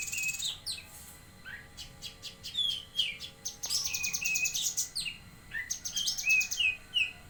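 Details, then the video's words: Bulbul (cucak kinoi) in Jambi in full active song: rapid high chirps run almost continuously, mixed with clear descending whistles and short rising notes. "Burung Cucak Kinoi Gacor"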